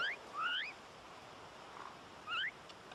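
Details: Cook Islands mynas, likened to starlings in antics and food scrounging, give three bursts of clear, rising whistled notes, each under half a second, over soft background hiss.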